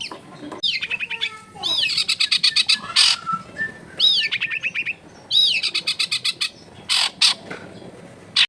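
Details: Long-tailed shrike singing, recorded at a house in a densely populated area to encourage a sluggish bird to sing. Arching whistled notes run into long, fast, evenly spaced chattering series, broken by harsh noisy bursts.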